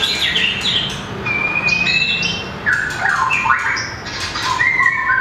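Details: Caged white-rumped shama of a mini, long-tailed form sings in contest: a long thin whistled note, then varied rising and falling whistled phrases and chattering bursts, with clicks and rustles between.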